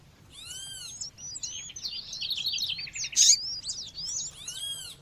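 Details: Female seedeater (coleiro or papa-capim) calling against a nature-sound background, used to warm up males: fast, high, sharp chirps and upslurred notes in a dense run, with arched harmonic whistles at the start and end.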